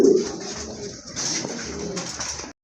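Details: Domestic pigeons of various local and foreign breeds kept at a farm in Kashimpur, Gazipur, Bangladesh. Indoors, a low, soft cooing murmurs briefly beneath a loud hiss and rustling.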